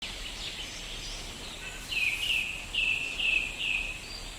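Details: Red-breasted crimson sunbird singing actively: a series of five thin, high downslurred notes in quick succession in the second half, over steady hissing background noise.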